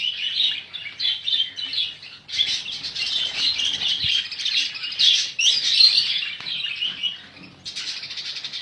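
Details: Noisy budgerigar flock: overlapping high squawks and chirps in bursts, with brief dips in the racket between waves of calling.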